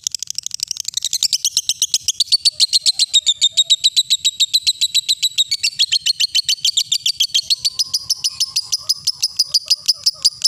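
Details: Lovebird ngekek song, played as a lure to train young birds: long unbroken rattling trill of rapid chattering notes, about three or four a second, steady and shrill throughout, with a faint lower squeaky chatter joining in the second half.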